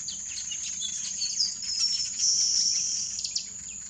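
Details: Village weavers (Ploceus cucullatus) in Kruger National Park give busy, scratchy chattering and sizzling notes in quick bursts, over a steady high insect drone.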